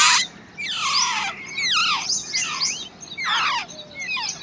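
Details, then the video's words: Wild babbler chicks being fed by a parent give loud, harsh, downward-sliding squeals in a rough rhythm, about five bursts in four seconds. "Wild Babbler Bird Feeding And Protecting To Her Chicks"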